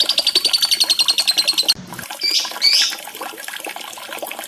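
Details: Lovebird song used as a lure to get quiet, non-singing caged lovebirds to sing: a rapid train of shrill, even chirps for under two seconds, a brief break, then sharp whistled notes over busy background chatter.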